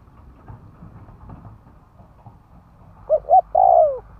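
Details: Spotted dove used as a decoy to draw in wild doves. After a few seconds of low rumbling noise, one coo phrase comes at the end: two brief hoots, then a longer falling note.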